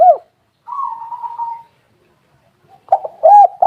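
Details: Spotted dove (tekukur) calling as a lure: an arched coo, a long level buzzy note, a pause, then a cluster of rounded coos.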